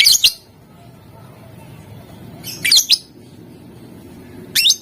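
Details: Provocative lovebird chatter meant to make rivals respond, in ngetik and ngekek styles: quick clusters of sharp, high chirps, with a double burst near the start and another mid-way, then a final chirp.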